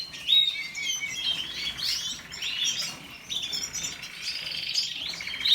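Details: Canary singing soft warbled phrases of twittering notes and short whistles, rising and falling in loose bursts over a faint background hiss.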